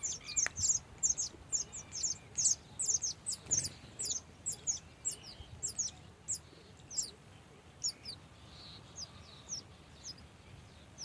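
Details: Busy chatter from a Baya weaver nest colony of males and females: dense bursts of shrill, high chirps, slowing toward the end, with a soft thump early on.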